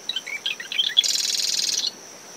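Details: Marsh wren singing at early morning from dune shrubs around a nest after tropical depression Claudette, recorder ten meters from the high tide line: a few sharp chips, then a fast buzzy rattling trill, over wind, waves and a steady cricket tone.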